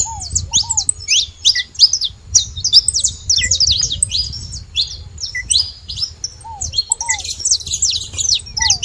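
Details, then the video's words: Noisy saffron finches at a feeder give rapid, crowded high chirps and ticks, with occasional lower slurred notes and soft background rustle. "Canário da terra fazendo barulho na seva"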